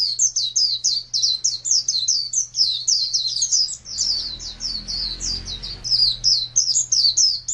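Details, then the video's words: Pet white-eye (pleci), a champion contest bird, recorded in 2017 in rapid, non-stop chirping: high, thin notes slurring downward, packed several per second, over a faint steady low hum. "Birds Chirping Pleci Master Joss Chirps"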